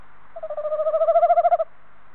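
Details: Male tawny owl calling close to its nest box, 21 February 2015: a single wavering, tremulous hoot lasting just over a second, pulsing quickly and swelling in loudness before stopping abruptly, with a quiet background.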